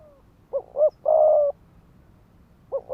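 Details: Spotted dove decoy giving a rapid 'thúc gù' coo meant to rouse males to fight: two short rising notes, then a long, steady, mid-pitched coo, with another double note starting at the end.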